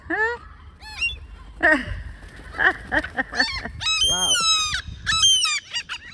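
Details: A mother gull in a school yard, guarding chicks recently put on the ground, gives loud, harsh, strained alarm calls in quick repeated bursts, some rising then falling, chasing people away; a person's voice is heard briefly.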